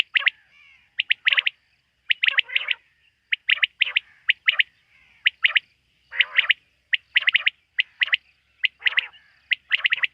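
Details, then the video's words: Quail at night giving a steady run of sharp, high clipped notes in pairs and triplets, some with harsher lower-pitched rasps, repeated about once a second without pause. "Bater ki rat wali awaz ۔۔quail sound of night"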